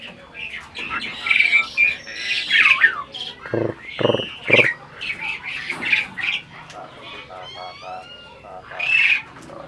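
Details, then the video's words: Speech-imitating adult Asian pied starling giving a busy run of squawks, gliding whistles and rasping bursts, the phrases tumbling together with short gaps, some notes sweeping upward in thin repeated slurs. "burung jalak ini malah ngajak ngomong"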